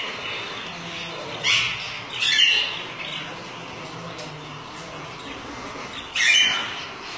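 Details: Lutino Alexandrine parakeets, a kept breeding pair, giving loud, harsh, grating squawks. A short one comes first, then a longer raspy call, and after a quiet pause with background murmur a final strong squawk.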